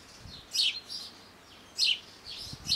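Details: Yellow-billed chough in the French Alps mountains: high, sharp, descending whistled notes given in pairs about every second, with thinner fainter notes in between.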